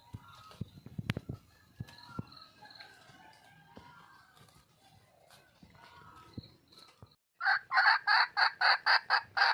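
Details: Red junglefowl hen in the wild calling for a male: faint scattered chirps and clicks, then after a short pause a loud burst of harsh, squawking notes repeated about four times a second.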